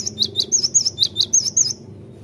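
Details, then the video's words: Great tit singing, used to lure the bird into song: a fast, steady series of about ten high, sharp notes, each sliding downward, ending abruptly after under two seconds over a soft low hum. "Pandai memikat gelatik batu jadi cepat gacor"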